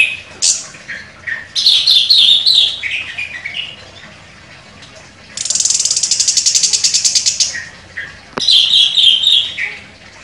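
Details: Chestnut-capped thrush, a contest champion, in sharp song. Warbled high phrases alternate with a long, fast, buzzy rattle of about two seconds, then more rich whistled runs; one sharp click is also heard.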